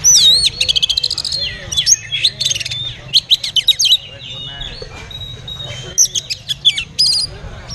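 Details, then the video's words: Caged oriental magpie-robin singing at a bird market: loud whistled phrases broken by quick bursts of sharp repeated notes, short gliding whistles and brief pauses, over a steady low background rumble. "Oriental Magpie Robin Singing"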